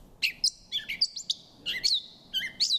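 A Gray Catbird sings a halting run of short, varied notes, some squeaky and some raspy, jumping in pitch with brief gaps between phrases.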